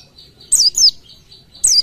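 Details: Oriental white-eye in the 'tembakan' song style, a recording for tutoring other birds: three short, very high, sharply down-slurred chirps, two close together then one more after a pause, over quiet low background hum.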